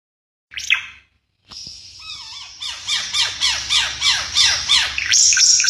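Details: Ara Mata Merah, a bird endemic to East Nusa Tenggara, Indonesia, described as increasingly rare: a short squeaky note, a brief pause, then a rapid, steady series of high, descending, slurred notes at about three per second, rising in loudness.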